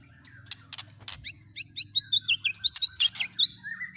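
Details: Murai batu mimicking other birds: faint buzzy notes over a low hum, then a loud series of sharp repeated chirps, about three a second, ending with a soft whistle.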